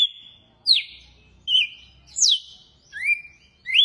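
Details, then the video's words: Red-cowled cardinal, a bird native to South America and especially Brazil, sings its "açoite" song: clear, high whistled notes, each slurring sharply down or up, about one every 0.8 seconds, in a quiet setting. "GALO DE CAMPINA CANTO AÇOITE"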